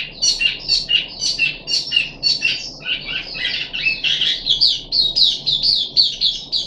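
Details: Captive puff-backed bulbul, third day of a deworming course, 14 July 2021: long run of fast, twittering high phrases, each note slurred up or down, delivered about twice per second with a steady chattering rhythm over a soft low hum.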